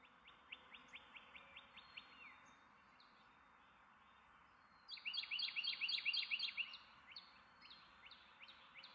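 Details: A Carolina wren gives a fast, ringing series of sharp down-slurred notes, about four per second, with a louder burst of rapid rolling phrases midway, over faint background hiss.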